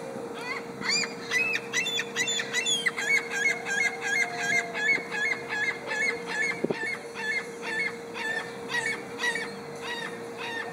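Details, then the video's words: A gull gives a long run of harsh, nasal, yelping calls, about two or three each second, over a steady low mechanical hum. "Singing Seagull"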